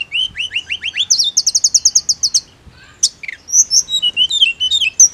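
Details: Mountain leafbird song used as therapy for a bird that only does ngirik: rising slurred whistles, then a fast run of a dozen sharp high ticks, followed by twisting whistled phrases.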